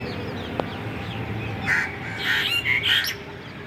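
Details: Bulbul giving a short burst of chirpy, squawking notes in the second half, set against a steady hiss of background noise.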